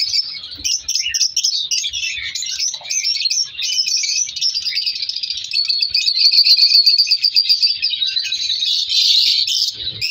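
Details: Breeding colony of African color lovebirds where chicks are being separated: bright, rapid chirps layered into a constant shrill chorus that swells louder in the second half.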